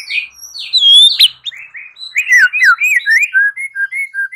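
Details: White-rumped shama in fighting song, opening with a long pure rising whistle, then a quick string of sliding, looping whistled notes delivered at a rapid, uneven pace.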